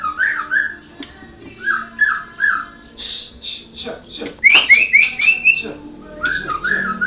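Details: Murai Medan blorok white-rumped shama singing a run of looping mid-pitched whistles, then a quick series of rising high notes, followed by more looping whistles; faint background hum.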